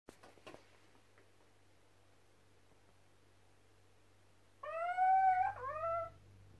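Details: Captive little owls in an aviary, reacting to a played recording of owls, give mournful cries: a drawn, rising mewing hoot, then a shorter note that dips and climbs again; a few knocks at the start over a steady low hum.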